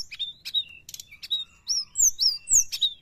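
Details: Sooty-headed bulbul song played to lure wild birds, made of short clipped chirps followed by clear rising-and-falling whistles in quick succession.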